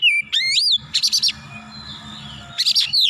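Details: Oriental magpie-robin in agitated, excited full song, unloading its repertoire: clear whistled notes sweeping up and down, then clusters of harsh buzzy bursts and a closing rising whistle.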